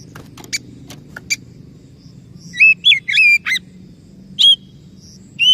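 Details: Oriental magpie-robin song for reviving a silent, stressed bird: soft clicks and faint notes at first, then several loud whistled slurs with twisting pitch, spaced apart, one final rising whistle.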